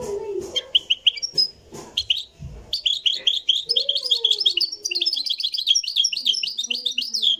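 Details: Moroccan European goldfinch singing in a live recording; fast, twittering, high-pitched phrases of rapid chirps and trills run on almost continuously, with a lower, softer note in the background.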